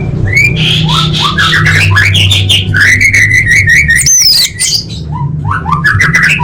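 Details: Orange-headed thrush song serving as a lure to make caged birds sing. It is a rich, continuous warble of rolling, slurred whistles and rapid notes, with a brief high rising call midway, over a faint low hum.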